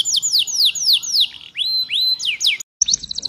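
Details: Several male canaries sing together: repeated clear, descending whistled sweeps at about four per second, then rising arched notes and a fast high trill after a brief silence.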